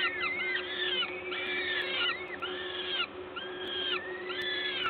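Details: Peregrine falcon nest in Gdańsk, Poland, 14 May 2022, during feeding by an adult. Arched, whining calls repeat about once a second, several voices overlapping, above a steady hum.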